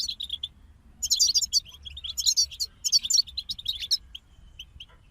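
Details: Group of goldfinches singing: a brief chirp, then three energetic bursts of tinkling, jingling twitters, fading into a few spaced soft call notes.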